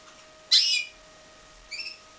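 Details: Captive-bred pied Timbrado canary: one loud rasping, broadband chirp, followed a second later by a softer, clearer double-toned note; faint steady hum throughout.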